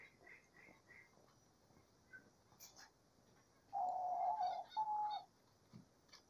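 A diamond dove gives two soft, low, mournful coos, the first longer and slightly wavering, with faint high chirps from other small birds before them.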